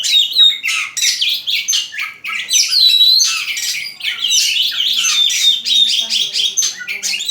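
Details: Loud, close, busy chattering of birds indoors, with harsh squawky notes mixed with sharp chirps and a few short whistled slides, packed densely throughout.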